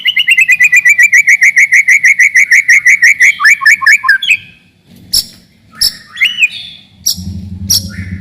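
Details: White-rumped shama singing to stir up rivals and train young birds: a fast run of about thirty short whistled notes on one pitch, then dropping slurred notes, followed by sharp clicks and scattered higher phrases.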